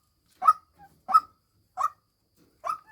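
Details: Female white-breasted waterhen kept as a decoy, uttering four hoarse honk-like notes about two-thirds of a second apart, each followed by a faint short echo note.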